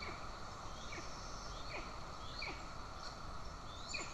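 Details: Golden eagles in Estonia, June 20, 2024, with the mother feeding an aggressive chick; faint, spaced downslurred chirps recur about every seven-tenths of a second beneath a constant hiss.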